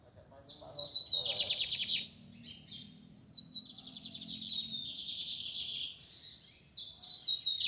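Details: Singing in a square in the Fátima neighbourhood, a lined seedeater repeats its song: high whistled notes that break into fast buzzy trills. Three phrases follow one another over about eight seconds.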